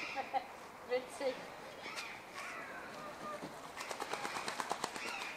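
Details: Radjah shelduck (Tadorna radjah) giving a few short, thin whistled notes, then a quick harsh rattling series of about a dozen pulses, with a faint outdoor background.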